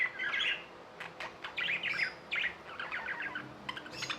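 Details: Budgies chirp in quick bursts of warbling, buzzy notes with brief clicks between them, over a low constant hum.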